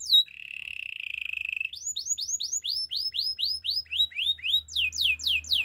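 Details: Canary singing: a brief high whistle, then a steady buzzy trill held for over a second, followed by a run of downward-sweeping whistled notes repeated about four times a second, quickening toward the end.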